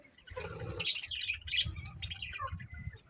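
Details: Soft chattering from a happy colony of budgerigars, with high chirps and warbling squeaks over a steady low rumbling background.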